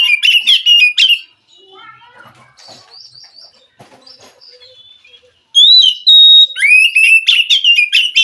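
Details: Wild forest Oriental magpie-robin singing, a recording meant to prompt a captive magpie-robin that is reluctant to sing. Loud bursts of rich whistles and sharp chirps, then a second or so of faint, thin notes, then another loud varied outburst.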